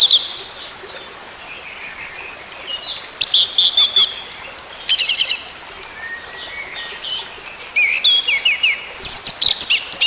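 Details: Orange-headed thrush song used to coax a silent bird back into singing: varied high whistled phrases in separate bursts, mixing clear slurred notes with harsh, crackling sounds, pauses between bursts.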